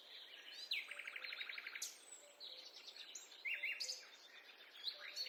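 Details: Birdsong in a forest, with a fast chattering trill early on and scattered high sharp chirps and slurred whistles from several birds, over soft low repeated notes.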